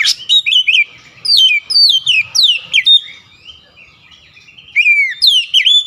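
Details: Oriental magpie-robin (kacer) unloading its isian fill-in song: loud, downward-slurred whistles in clusters, a longer drawn note fading into a pause, then fresh bright whistles.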